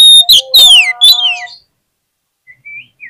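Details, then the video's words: Oriental magpie-robin, known locally as kacer, in a lure recording to rouse quiet birds: intense, piercing, downward-sweeping whistles over a steady tone, then silence and a few soft rising notes. "PANCINGAN KACER PALING AMPUH UNTUK RANGSANGAN KACER YANG MALAS BUNYI AGAR CEPAT NYAUT"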